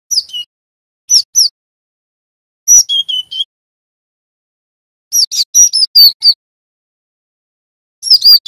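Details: Java sparrow, a young male learning from a master recording to build a rolling song: short bursts of high bell-like chirps and clipped notes, in groups separated by pauses of one to two seconds, clean background.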